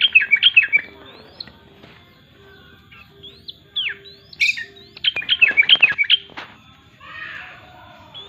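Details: Yellow-vented bulbul singing vigorously: bursts of bubbly, warbled notes in quick clusters, with short upslurred whistles between, and a steady faint hum behind.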